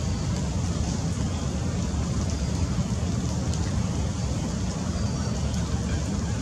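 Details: Steady loud roar of traffic or rain-like noise throughout, with no clear animal voice.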